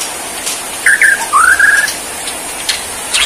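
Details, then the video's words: Borneo white-rumped shama in bowing display gives a short burst: two quick chirped notes, then a rising slurred whistle leveling into a sustained note, followed by quiet. "Aksi Murai BORNEO gaya SUJUD"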